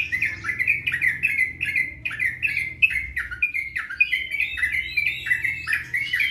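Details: A sooty-headed bulbul sings a long, rapid run of bubbly, slurred notes, about two or three each second, with a low hum underneath; recorded March 2021, with song duration said to be growing steadier.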